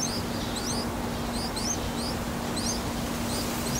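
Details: Yellow-vented bulbul chicks, about four days old, begging in their nest in Thailand while fed: quick high upward-sweeping squeaks in clustered pairs and triples over a constant low electrical-like hum.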